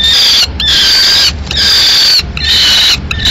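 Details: Peregrine falcon nest in Madrid, 15 May 2016: the male has brought a swift still alive and the female kills it. Drawn-out, strained harmonic cries, three in quick succession.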